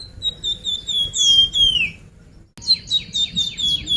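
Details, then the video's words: Song of the Sunda pied fantail as a lure to make birds sing: a sweet descending whistle phrase ending in a downward slur, then after a pause another fast run of clipped whistles. "suara pancingan burung flamboyan"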